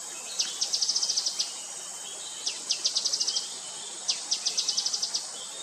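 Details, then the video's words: Calling Grey-headed canary-flycatcher gives three phrases, each a downslurred note then a rapid high chattering trill, spaced about two seconds apart against a hissing insect background. "Gray-headed Canary-Flycatcher calling"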